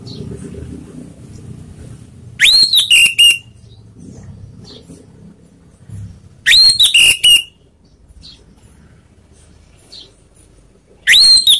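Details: Provocation song of an orange-headed thrush, meant to rile rival birds: the same loud whistled phrase is repeated about every four seconds. Each phrase rises sharply, then breaks into choppy ringing notes. Quiet low background noise fills the pauses.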